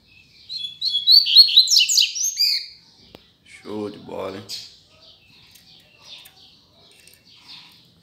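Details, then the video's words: Rusty-collared seedeater singing strongly as the season begins: a bright, rapid twittering run of high sharp notes lasting about two seconds, then a man talking and a few faint distant chirps. "Coleiro Cantando Firme"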